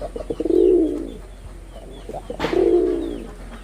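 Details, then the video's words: Male red-bordered wild pigeon from Bangladesh: stammering short notes rise into a smooth resonant coo, a sharp noise burst, then a second sustained coo. "লাল বডার বুনো কবুতরের অসাধারণ ডাক"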